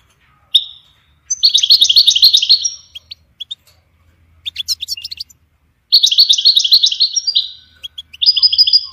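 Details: European goldfinch singing for training songbirds: two long rapid trills of about one and a half seconds each, with a burst of clicking chirps between them and a third trill beginning at the end.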